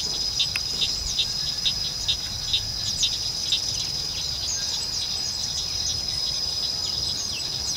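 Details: A male southern red bishop in breeding plumage at Vryheid, South Africa, on 2 December 2011 gives short, high, sizzling chirps about every half second over a steady high insect drone.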